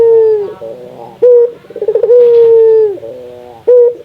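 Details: Indonesian local spotted dove (puter) giving its call, played to encourage other doves to call often: long steady coos alternating with fast stuttering trills, the pattern repeating across the recording.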